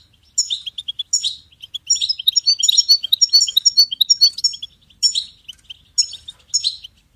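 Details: Goldfinch singing repeated bright twittering phrases, sharp chips mixed with liquid tinkling runs, in bursts roughly every second, in a quiet setting.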